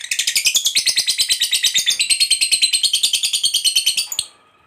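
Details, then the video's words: Lovebird fighter giving a long ngekek trill, used to provoke other lovebirds into singing: a fast, steady chatter of high harsh notes, about three per second, running unbroken for four seconds before stopping abruptly. "Suara Burung Lovebird Ngekek Panjang, TOP Buat Pancingan Lovebird Agar Cepat NGEKEK"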